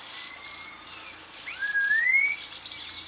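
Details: Red-tailed laughingthrush giving a rising, clear whistled note over a steady, pulsing, insect-like buzz of high hissing bands.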